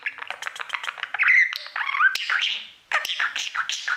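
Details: A pet budgerigar singing to its mirror: quick clicking notes, then squeaky whistled slurs and chattering warble, pausing briefly before the clicks resume.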